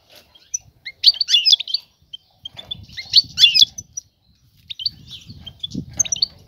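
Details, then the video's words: Female European goldfinch calling the male to draw him into mating and nest building; three bursts of high, tinkling twitters about two seconds apart, with soft low-pitched background noise between them. "أنثى الحسون جاهزة, تبحث عن الذكر للتزاوج"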